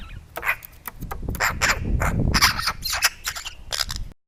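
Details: Close-up Eurasian magpie barking like a little dog while reacting to a camera placed near its food: sharp, harsh broadband notes in irregular bursts, some paired, amid low rumbling handling noise.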